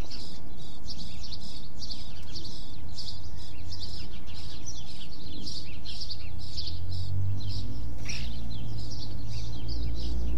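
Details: Several birds chirp continuously in a small town neighborhood, with dense, high, rapid tweets throughout. A low traffic rumble runs underneath and swells in the last few seconds as a vehicle passes.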